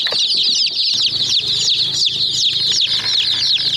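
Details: Chicken chicks pecking at a white miniature toy jeep: a continuous flock of shrill, sweeping cheeps mixed with pecking taps, over a low steady motor-like hum.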